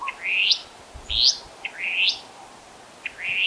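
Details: Restless flycatcher calling while foraging, one of two birds making most of the calls, in Monarto Woodlands, South Australia, 26 July 2020: high, buzzy rising notes, each introduced by a short clip, about every three-quarters of a second, faint low rumble.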